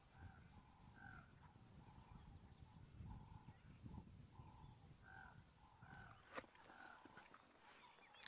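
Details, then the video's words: A White-cheeked Raven heard but not seen in nature, 22 September 2022, gives short, hoarse, mid-pitched calls about once a second, half-buried under a steady low rumble of wind. "i'm just listening i can hear that white-necked raven but i don't see it"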